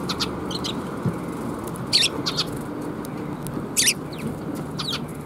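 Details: Sparrows coming to be fed at Suijō bridge on 26 June 2021. Scattered short, bright chirps and twittering notes come every second or so over a steady low background rumble.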